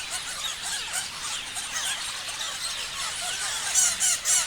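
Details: A crowd of parrots chirping, quick high squeaky notes tumbling over one another, with a few louder piercing squeals toward the close.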